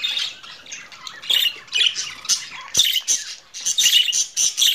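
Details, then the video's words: Budgerigar squawking and chattering, harsh buzzy bursts repeated irregularly, getting busier toward the end, with one sharp click in the middle. "Muhabbet Kuşu Sesi"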